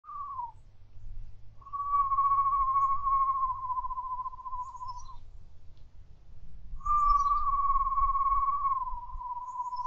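A screech owl gives two long, even, quavering trills of several seconds each, held at one mid pitch, over a low background rumble.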